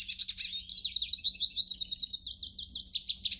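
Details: Hooded siskin singing, meant to warm up a captive bird: a rapid, continuous warble of high twittering notes with repeated downward-slurred, wavy phrases.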